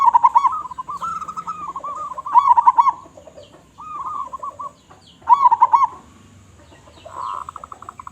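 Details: Local zebra dove with a big voice, singing as a lure for other doves: staccato cooing phrases with rolled accents, three loud bouts spaced about three seconds apart, softer coo series filling the pauses.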